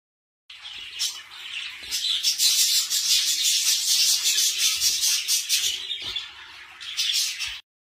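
A budgerigar chatters in a steady, busy warble of scratchy chirps, clicks and high squeaky notes, running almost without pause for about seven seconds.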